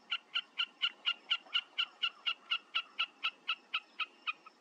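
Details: Wilson's snipe singing a loud, even series of sharp, clipped notes, about two per second, some eighteen notes in all with little change in pitch, against a quiet background.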